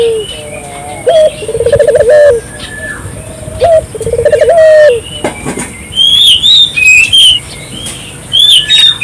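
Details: Barbary dove calling energetically to draw local doves into calling: two rolling, pulsed low coos with falling ends early on, then only bright high chirps and whistles of small birds in the later part.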